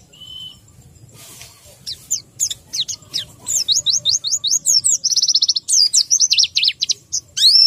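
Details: White-eye described as low in breeding condition and not singing at full strength. A short steady high tone opens, then a faint hiss. Quick, high, twittering whistles build into a fast chattering stream of sliding notes and brief trills.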